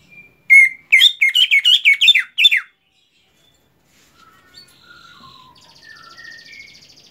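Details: Greater green leafbird after moulting delivers a rapid string of about eight sharp, bright, slurred notes, followed by quieter scattered thin whistles and a soft high buzzing.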